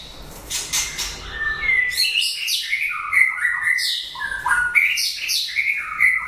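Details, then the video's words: End of breeding season, a white-rumped shama sings loud, sweet whistled phrases that rise and fall, mixing clear mid-pitched notes with higher ringing flourishes in quick succession. "Chòe lửa bông hót cuối mùa sinh sản"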